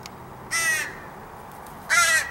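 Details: Morning crow from a wild family fed by a person gives two loud, raspy caws separated by over a second of quiet, each short and harsh.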